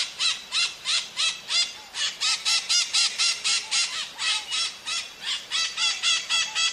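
Harsh, grating screeches from parakeets, about four a second in a steady chattering stream, with several birds seeming to call over one another.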